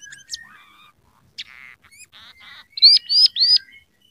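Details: Scaly-breasted munia in lively song, mixing in canary, house sparrow and red siskin notes: mixed chirps and short buzzy rattles, followed by three loud, high, arching whistles.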